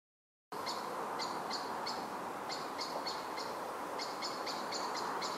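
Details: Common blackbird giving an alarm call in deciduous woodland in Milton Keynes, UK, in 2013, while white admiral butterflies fly: sharp high chinks in quick bursts of two to four, over steady broad hiss.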